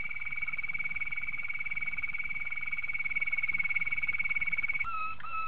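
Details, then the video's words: Malinois Waterslager canary training song, a long sustained, even rolling trill holding one pitch for nearly five seconds, ending in two short dropping whistled notes. "Malinois Waterslager Canary Training Song Master"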